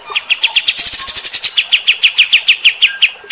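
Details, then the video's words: Kapas tembak bulbul in rough 'tembakan kasar' style: fast, even, sharp chirps throughout, briefly overlaid by a high thin trill, continuing at about six notes a second. "AUDIO KAPAS TEMBAK GACOR MBESET TEMBAKAN KASAR. BIKIN EMOSI BURUNG TIPE FIGTER"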